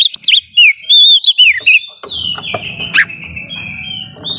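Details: Actively singing Oriental magpie-robin (kacer), its song said to provoke rivals: quick, varied whistled and chirped notes at first, then a long steady whistle-like tone over low rumbling noise with occasional sharp notes.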